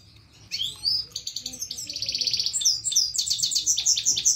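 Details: Himalayan goldfinch, a caged singing bird, delivering a fast, bright song of high twittering notes, trills and buzzy rolls, with sharp whistled phrases near the end, after a short quiet start.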